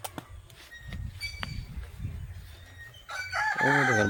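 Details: Desi chickens roaming outside their coop in a rural yard; after soft rustling and low thumps, a loud harmonic rooster crow rises and holds for about a second near the end.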